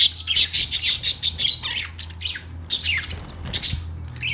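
Budgerigars chatter in rapid, scratchy high chirps and squawks, with a faint low hum beneath.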